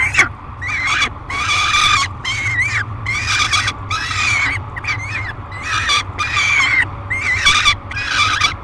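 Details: At the Great Spirit Bluff nest box, 3 July 2021, a peregrine falcon screams during feeding: about eight grating, rasping cries in steady succession, roughly one per second, each wavering slightly in pitch, over low mechanical hum.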